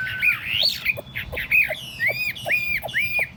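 A Chinese hwamei gives loud, harsh, arched notes, slurred up then down, repeated roughly once a second, over a faint low background hum.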